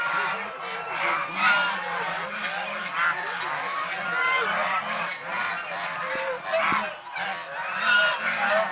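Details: Swan goose, domestic form, filmed bathing, resting, playing and fighting; a continuous jumble of harsh honks with a couple of sharp knocks near the end.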